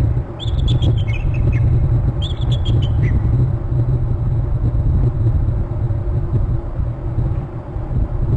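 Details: Bald eagles at their nest and territory on Hornby Island, both trilling as the male flies in: two bursts of thin, high, chittering notes that step downward, each lasting about a second, over a constant heavy low rumble.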